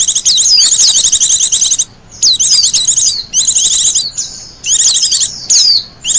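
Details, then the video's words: Wild Japanese white-eye, its song used as a lure and as master song for training birds: rapid high twittering phrases with fast up-and-down slurred whistles, in bursts of about a second separated by short pauses. "Suara burung pleci liar,cocok buat pikat dan masteran."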